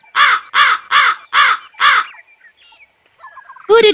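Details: Hooded crow (Corvus cornix) gives five harsh, hoarse caws in quick succession, about two per second, then after a short pause with faint background sounds one more rasping caw.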